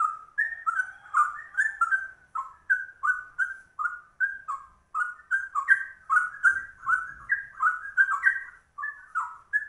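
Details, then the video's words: Rare trucuk-style song of a straw-headed bulbul, delivered ropel-fast: liquid, gurgling whistled phrases follow one another with barely a gap, the pitch wobbling between low and higher notes throughout. "Trucuk langka ropelannya cucak rowo"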